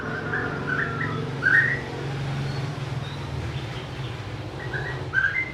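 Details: Song of a white-rumped shama: short whistled phrases with slurred upward notes, given in two bursts separated by a pause, over a continuous low mechanical hum.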